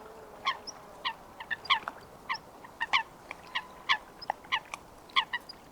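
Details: Coot, a wetland waterbird, calling in its natural wetland habitat: short sharp explosive notes repeated irregularly, roughly every second, some paired, with a faint steady background hiss.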